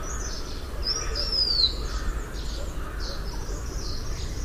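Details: Blue-winged minla, a forest bird of Vietnam living above about 900 m, giving a thin high whistle that slurs downward, partly masked by steady low rumbling background noise, with fainter high notes around it.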